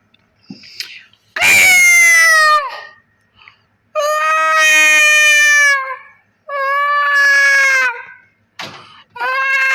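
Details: Hens on a big poultry farm in Pakistan giving long, drawn-out, nasal calls, each about one to two seconds and level before falling at the end. Three full calls come a few seconds apart, with a fourth starting, and soft clucks between them.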